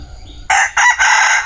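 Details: Bantam rooster crowing: a loud, harsh, broken crow in three close bursts, each rich and strained, following a short quiet stretch with faint high chirping in the background.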